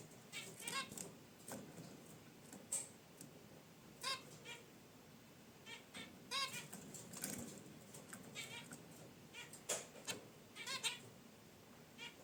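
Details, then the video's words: Zebra finches kept in a cage, resting by their wicker basket nest, trade many brief nasal honks and chirps scattered unevenly across the stretch, with soft rustling between. "Zebra Finches in Their Cage: Natural Chirps & Sounds"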